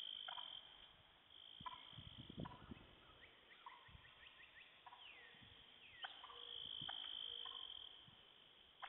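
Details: Wild turkey hens near sunset, alarmed by what is suspected to be a poacher's repetitive electronic calling on a hill, give sharp, clipped alarm notes and falling yelps over a steady high insect drone and a low engine rumble.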